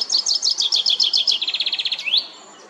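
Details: Chaffinch song from La Perle du Lac in Geneva, Switzerland, used for territorial defence and attracting a mate: a rapid run of high chipping notes that speeds into a tight trill and ends in a sharp rising flourish.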